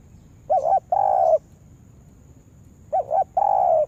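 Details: Spotted dove serving as a trapping lure in a yard gives two coo phrases about two and a half seconds apart, each a short undulating double note followed by a longer steady hooted coo.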